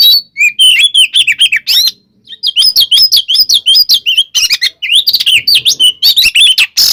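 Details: Continuous fighting song of an Oriental magpie-robin, used to provoke other kacer: quick repeated whistled slurs and sharp chips, one brief pause, then rapid rising and falling phrases.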